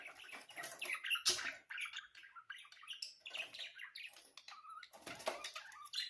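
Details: Budgerigar birds chattering and twittering, their busy warble partly blurred by a steady rushing, splashing background noise.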